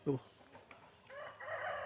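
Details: A chicken on a rural smallholding gives a brief low cluck, then a drawn-out, rising crow over the last second, amid birdsong, as a man speaks quietly in the background.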